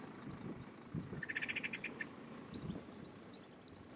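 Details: Black-crowned Tchagra (Tchagra senegalus cucullatus), Souss Massa, Morocco, March 2012: a quick run of clear, mid-pitched whistled notes lasting under a second, followed by high thin chirps of other birds over a soft hum.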